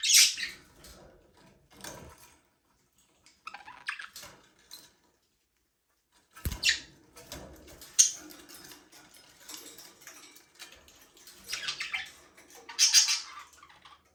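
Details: Budgies flying free and playing in a small aviary make scattered shrill chirps and sharp squawks, spaced by short pauses, with light scratchy rustling between calls.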